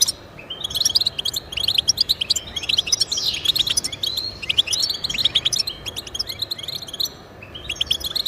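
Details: European goldfinch singing to motivate pet goldfinches: clear, liquid twittering phrases of rapid high chirps and slurred notes, separated by short pauses.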